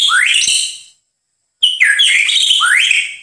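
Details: White-rumped shama master song for training birds: two rich, fluty phrases with rising and falling whistles and overlapping high notes, broken by a pause of about half a second.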